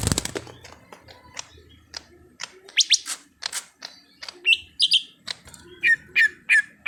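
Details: Greater green leafbird, a raw bird being conditioned to sing, gives dry clicking chips that lead into sharp upward sweeps and short clear whistles, delivered at an uneven, fairly fast pace.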